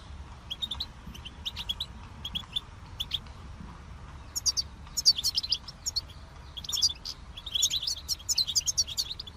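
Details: European goldfinch, said to imitate other birds' voices and learn melodies: quiet high twittering, short sharp chirps in small bursts at first, then busier tinkling, jumbled phrases in the second half over a low steady background hum.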